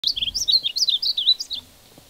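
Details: A male painted bunting (Passerina ciris) sings a quick, sweet, high warbling phrase of about a dozen slurred notes lasting under two seconds. After it ends, the background is quiet.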